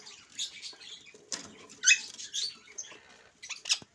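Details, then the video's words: Talking Alexandrine parakeet, a pet speaking Urdu and English, produces a string of breathy, chattering syllables that peak in a sharp, grating screech, then trail off into softer mutters and a final clipped squawk. "Talking Raw parrot | Amazing talking Raw Parrot | Raw Parrot talking Talking in urdu and English."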